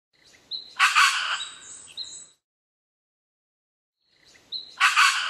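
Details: Red wattlebird in Australia, 21 December 2015: a harsh, coarse rasping call with a brief whistled lead-in and buzzy trailing notes, followed after a pause by the start of a second identical call.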